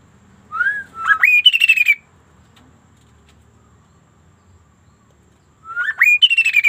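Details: Sunda laughingthrush singing unusually: a soft whistled slur, then a bright rising note dissolving into a rapid, slightly descending series of pulsed notes, repeated after a pause of several seconds.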